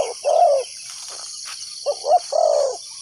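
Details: Spotted dove used as a trapping decoy, giving low, soft cooing notes: a long rolling coo, a pause, then a short coo and another drawn-out one, with faint insect hum above.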